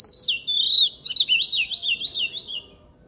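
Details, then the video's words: Oriental magpie-robin in loud, fiery song: a long sliding whistle followed by quick, evenly paced wavering notes that fade toward the end. "Luyện giọng chòe than HÓT HAY || Kích chòe than hót căng lửa || Suara Burung Kacer Gacor 2023"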